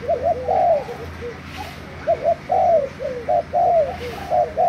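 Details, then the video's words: Spotted dove kept as a decoy bird, from Thailand, recorded 3 March 2018: soft, low, rounded coos given in quick repeated phrases of several notes each, over a steady low hum. "Cu gáy mồi thailand"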